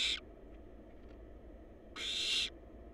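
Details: Wild barn owl chicks in a monitored nest box, caught by a live nest cam: a short harsh hiss at the start, then a second breathy, rasping burst of about half a second, over a steady low hum.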